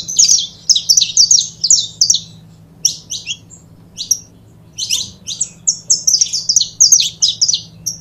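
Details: High, rapid chirping phrases from a pair of saffron finches, recorded for warming up other birds, rising into tight clusters of bright notes with short gaps and a quiet low hum behind.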